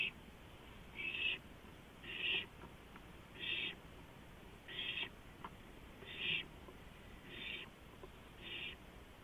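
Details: Owl at night on a porch, April 2015, repeating a short rasping hiss eight times, roughly every second, fairly evenly paced.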